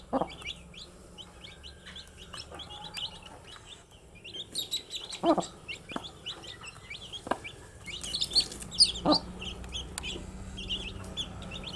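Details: Many newly hatched chicks chirp continuously in high, thin, bouncing peeps, the chorus swelling louder toward the end, with scattered taps and knocks.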